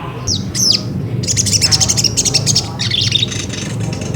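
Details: Ruby-cheeked sunbird singing as a lure to provoke another bird into song: sharp high downslurred notes, then a dense high-pitched twittering trill and further quick chirps over a low background rumble.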